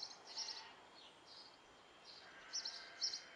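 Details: Great tit nestlings, nine young in a nest box at a house in Belford, Northumberland: sparse, high, thin chirping bursts separated by pauses, over steady low environmental noise.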